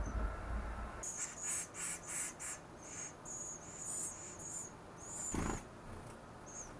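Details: Wild Western Flycatcher nestlings at eleven days old, Pacific Northwest nest: quiet, thin, high-pitched hissing begging notes in a rapid string, with a soft thump partway through.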